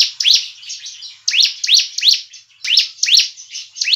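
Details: Bar-winged Prinia lure call meant to draw birds for trapping and make kept ones sing; clear, high upslurred chirps in twos and threes above a steady buzzy background trill.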